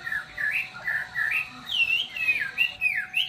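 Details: Chinese hwamei singing loud, clear whistled phrases that rise and fall, several short slurred notes repeated in quick bursts, later phrases sweeping higher and more varied, over a faint steady low hum.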